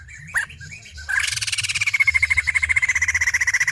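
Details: Female white-crested laughingthrush giving a rapid harsh rattling chatter, fast pulses that start loud and slowly fall in pitch for over two seconds, after a few short squeaky notes.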